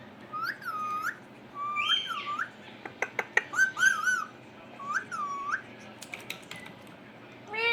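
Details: Pet ringneck parrot sitting on a computer, talking: clear mid-pitched whistled notes that rise and fall with bright overtones, repeated in short phrases, with a few sharp clicks midway.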